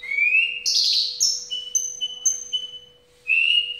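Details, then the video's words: Caged Javan bush lark giving a rising whistle, then a buzzy high burst and several short repeated notes, ending with another rising whistle after a short pause, in the 'ambulance' song style. "Branjangan dasyat joss"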